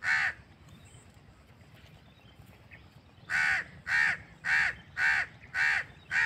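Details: Crow calling in natural surroundings: one harsh caw at the start, a quiet pause of about three seconds, then six loud, evenly spaced raspy caws in quick succession.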